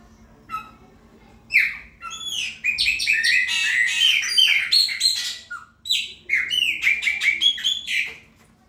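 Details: Long territorial song from a chopi blackbird of the 'preta fumaça' type: after soft opening notes, dense, rapid gurgled whistles and clipped chatter notes pour out in two extended bursts separated by a brief pause.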